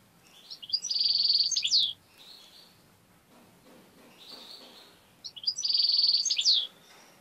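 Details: Two matching buzzy phrases from a tame European goldfinch going for a finger, each a dense trill of about a second with sliding end notes, separated by soft twittering.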